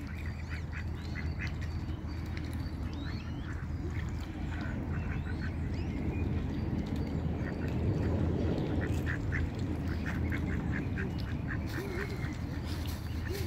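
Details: Ducks on a pond, reported as protecting their babies, keep up a long irregular series of short raspy quacks, sometimes several in close succession, over a heavy low rumble of outdoor noise.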